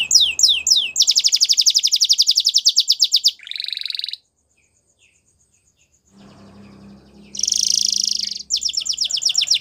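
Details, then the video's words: Belgian canary singing fast high trills and downslurred notes, a buzzy rattle phrase, then a pause of about two seconds with a low hum in the background before the trilling resumes. "Belgian Canary Song"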